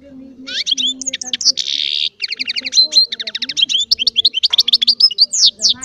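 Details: A small goldfinch-hybrid baster pours out continuous goldfinch-like song, with dense rapid twitters, a buzzy burst and sweeping high notes, over a low steady murmur in the background.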